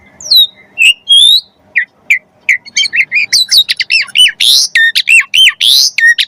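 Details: Starling training lure of Asian pied starling song: sparse chirps and whistles build into a fast, dense run of squawky notes and rising whistled slurs, loud and clear with no background noise.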